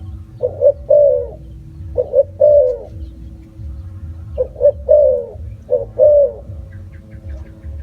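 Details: Spotted dove cooing in four phrases, each short paired notes then a drawn-out soft coo, with gaps between and a low background rumble.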